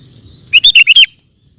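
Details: Sooty-headed bulbul delivering a rapid 'ropel' phrase: five quick, loud, clear whistled chirps run together in half a second, sharp bright notes with slight up-and-down inflections, over near silence.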